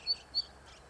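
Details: Zitting cisticola singing from an electric wire, the first heard this season: two sharp, thin, high 'tsip' notes about a quarter second apart over quiet background hiss.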